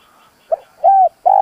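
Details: Brief fragment of a spotted dove used as a decoy: a short soft note followed by a rounded, steady coo and the start of another.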